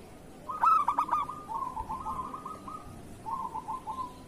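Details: ['Zebra dove of local stock, song kept as a master for lazy doves. A strong burst of four ringing notes rolls into a long, purring trill, and a shorter trill follows after a brief pause.']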